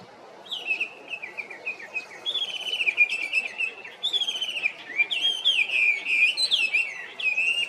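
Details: Chinese hwamei song: a rich, varied run of loud whistled phrases, slurred and warbling, shifting pitch constantly with rapid notes and sweeping up-and-down slides, delivered almost without pause over a faint background hiss.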